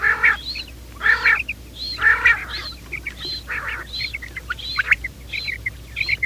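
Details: Quail calling in the morning, recorded as a trapping lure: loud harsh multi-note bursts repeated about once a second, each followed by a thinner higher note, over a steady low hum.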